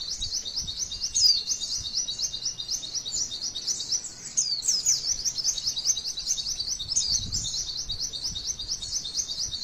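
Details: Female white-eye singing a long training-style song used to draw other white-eyes into song: an unbroken, very high, rapid twittering of zigzag notes, briefly louder near one and four seconds, over faint low background hum.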